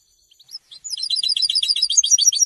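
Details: A goldfinch's song, meant to announce presence and attract females: a few soft, high single notes that quickly swell into a dense, loud, tinkling twitter of rapid repeated elements.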